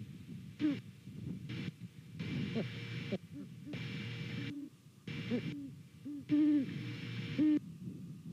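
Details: Great Horned Owl pair at a Savannah nest, calling back and forth on the morning of 28 November 2019: deep, short hoots scattered through the stretch, a longer paired hoot late on, with bursts of static-like noise between.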